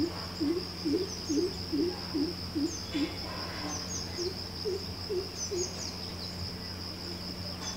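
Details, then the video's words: Greater coucal (crow pheasant) at Coorg, Karnataka, giving a series of deep, hollow hooting notes, quick at first then slower and spaced, over a steady high insect drone. "Greater Coucal"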